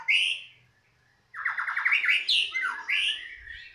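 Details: White-rumped shama, a young bird described as a former competition performer, singing in captivity: a bright whistled phrase, a pause, then rapid repeated down-slurred notes running into varied chattering and whistled phrases.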